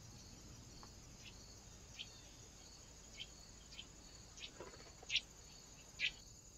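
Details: Great spotted woodpecker recorded by a trail camera on 2 October 2024; faint sharp ticks, then two louder abrupt kik calls about a second apart near the end, over a steady hiss and a pulsing high insect-like drone.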